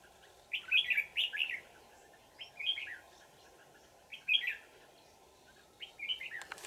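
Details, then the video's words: Wild adult red-whiskered bulbul with a twisting bell voice, trapped using a decoy on 20 December 2018, delivers repeated cheerful warbled phrases roughly every one to two seconds, each a cluster of quick slurred notes; a click at the end. "Bẫy chào mào Già rừng giọng chuông xoắn tít"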